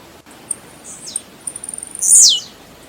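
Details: Blue-black grassquit (tiziu) singing: a weak high buzz, then a quick series of dry ticks, ending in one loud, rasping note that falls sharply in pitch.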